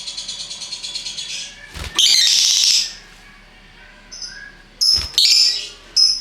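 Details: Ngekek chatter from multi-coloured lovebirds: a fast series of ticking high notes, then a long loud shrill squealing burst, a pause, and several shorter piercing squeaks.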